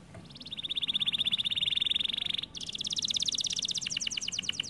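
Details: Domestic canary in peak singing form, delivering a steady rapid trill of identical notes for about two seconds, then, after a brief break, a faster, buzzier trill on slightly higher notes that continues to the end.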